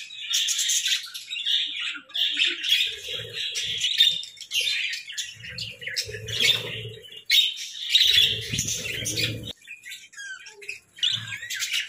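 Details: Playful budgerigars in a cozy hut give bursts of high warbling chatter and chirps that rise and fall, with short low murmuring sounds between some bursts.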